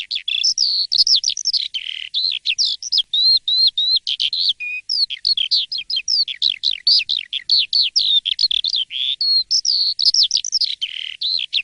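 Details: Asian pied starling singing in the morning, loud and nonstop: a dense, fast medley of high whistled slurs, rising and falling notes and scratchy chatter, with short breaks near four and eleven seconds.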